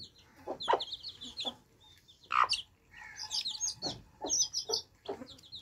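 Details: Dense shrill peeping from baby chicks drinking fresh water, the high downward chirps running in rows while heavier broadband taps break in every second or so.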